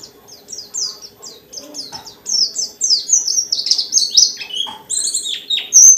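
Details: Captive dakun white-eye pouring out a long forest-style song with many fill-ins to set other white-eyes singing; soft chirps at first, then louder high, sliding and buzzy notes in quick succession.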